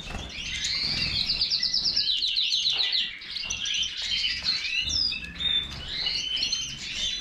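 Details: European goldfinch of the Major type singing a fast, busy song of high twittering notes, with a run of quick repeated trilled notes near the start and scattered sharp chirps throughout.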